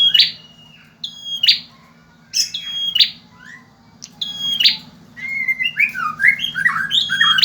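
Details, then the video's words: Male bar-winged prinia song used as a master recording for other birds: high flat whistles each ending in a harsh buzz, repeated roughly every second. A rapid run of varied chattering notes follows, over a low steady hum. "Suara burung prenjak jantan gacor.. cocok untuk masteran"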